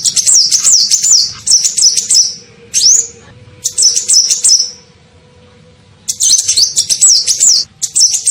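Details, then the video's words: Sunbird, locally kolibri ninja, lure call played to attract birds: repeated bursts of shrill, fast-wavering chirps, with a rising whistled squeak before a brief lull and then more rapid twittering. "SUARA PIKAT KOLIBRI NINJA"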